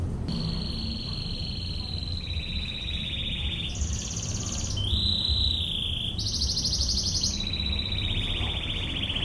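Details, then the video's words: Canary 'tembakan ngebren' song for tutoring birds: long machine-gun-like trills shift between several pitch levels, rising to very high buzzy rolls before dropping to a lower sustained trill, with steady background hum. "MASTERAN BURUNG KENARI//TEMBAKAN NGEBREN"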